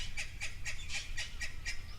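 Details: A Natal spurfowl makes a racket at an African waterhole on 12 June 2024, in a group with youngsters, on a calm day: a harsh, raucous cackle of rapid grating notes, about four a second, over a low rumble.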